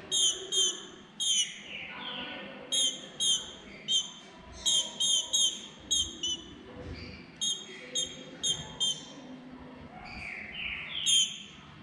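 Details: Soliciting female green-winged saltator, pedindo gala: short bright harmonic notes repeated in irregular pairs and triplets, with a couple of longer rising slurred whistles, over faint low background hum.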